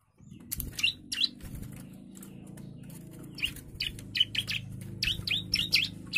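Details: Agitated young bar-winged prinia: spaced bright, high chirps and short slurred notes, coming singly and in pairs, over a steady low rumbling background noise.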